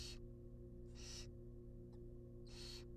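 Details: Barn owl chicks, wild, in a nest box while a rabbit is brought as food: three loud, breathy hissing screeches about 0.3 seconds each, spaced roughly a second apart, with constant low hum beneath.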